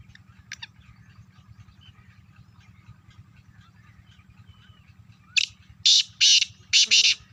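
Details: Black francolin calling in Sindh, Pakistan: a series of four rasping, broadband bursts closes the recording, following quieter chirps from other birds. A constant low mechanical drone sits underneath.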